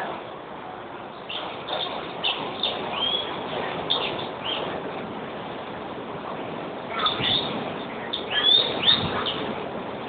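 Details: European greenfinch giving quick twittering chirps in two bursts, one early and one near the end, with a rumble of traffic-like noise underneath.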